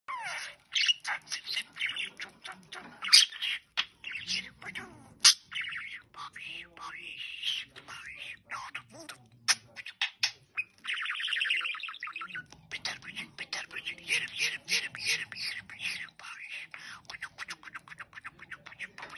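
A budgerigar chatters rapidly, mixing scratchy warbles, clicks and squawks with speech-like mimicked phrases.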